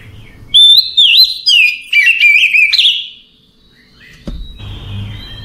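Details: Relaxed singing at night by an Oriental magpie-robin: three loud bursts of varied whistles and chirps over about three seconds, then near silence, then a low thud and soft rumbling noise.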